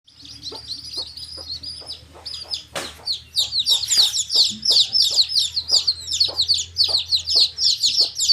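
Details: Baby chicks in a group chirping nonstop: dense, high, thin peeping notes overlapping one another, with soft tapping clicks underneath and a brief scuffling noise near the third second.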